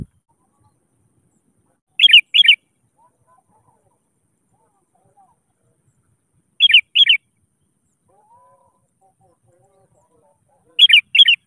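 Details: Sooty-headed bulbul used as a lure, calling rivals to sing: a pair of short bright chirps repeated about every four and a half seconds against silence.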